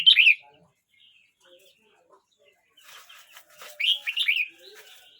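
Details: Red-whiskered bulbul aged 12 months 29 days opens with a short bright warble, goes quiet, then after faint chatter and background noise sings a louder three-part lilting phrase.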